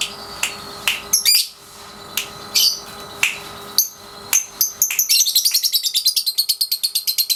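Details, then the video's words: Lovebird, 3.5 months old, in daily training for the ngekek song: scattered sharp high chirps and squeaks, then a fast accelerating run of rattling notes, the typical ngekek trill. "Love Bird Pasjo si Vicy Latian Ngekek Harian usia 3,5 bulan"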